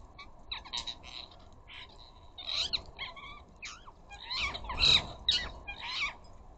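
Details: Rose-ringed parakeets in a flock at a bird feeder chattering to each other: a continuous run of short harsh, buzzy squawks and rasping notes, rising to a louder flurry over six seconds.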